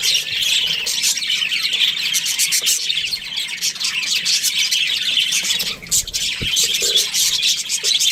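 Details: Australian budgerigars, a breeding pair, chattering continuously with dense high warbling chirps and squawky notes, a busy, unbroken stream of bright twittering.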